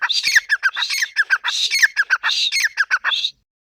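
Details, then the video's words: Grey francolin giving a loud run of harsh, clipped notes, quick and uneven, with a higher squeaky note recurring in the series, then stopping abruptly. "Dakhni Teetar ke awaaz | teetar voice | teetar sound | Teetar boli"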